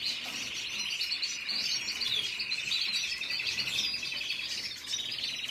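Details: Red siskin giving a dense, continuous buzzy twitter, rapid trilled notes layered over higher chirps, steady in loudness from start to finish.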